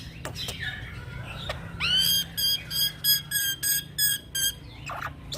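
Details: Young black-winged myna used to train and lure birds; after a few chips comes a bright rising whistle, followed by about eight evenly spaced ringing whistled notes, roughly three per second.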